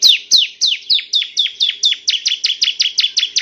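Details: Bar-winged prinia, a male, in a training recording for other birds. A rapid, evenly spaced train of loud, sharp downward-sweeping chirps quickens toward the end, with a faint hum underneath.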